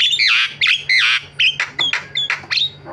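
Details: Varied song of a Javan myna: a string of loud, clipped whistles and harsh squeaks in short bursts, roughly ten notes, each sharp and separate.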